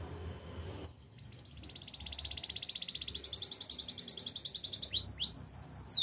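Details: Spanish Timbrado canary song used for training: after a short quiet start, a long even rattling trill that swells steadily louder, ending in a few sharp upward whistled sweeps.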